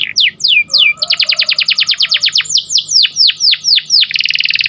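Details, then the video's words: Lively morning singing of a canary: falling whistled notes, a fast rattling trill, a run of deep downslurred sweeps, ending in a quick buzzy roll, with a soft steady hum behind. "Suaranya Merdu Dan Lincah Nyanyian Burung Kenari Dipagi Hari"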